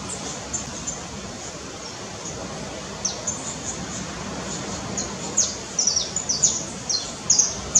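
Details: A red-legged honeycreeper near Cumuruxatiba, Bahia, Brazil, gives very high, thin, clipped notes, scattered at first, then quicker clusters toward the end, over a steady hiss of background noise.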